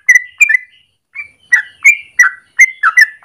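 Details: Yellow-vented bulbul (trucukan) with long rapid morning song used as lure or master: a few gurgled whistles, a short pause, then rhythmic liquid notes at roughly three per second.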